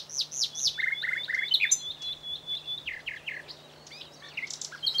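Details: A common nightingale, widespread on the plateaus between Aragon and Extremadura in Spain, sings a varied, rich song: quick repeated slurred notes, a long sustained whistle, and sharp chirping bursts, over a faint low hum.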